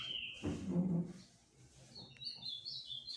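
Ultramarine grosbeak song: a short run of clear, high, warbled whistles that shift in pitch. A low thumping rumble sounds near the start.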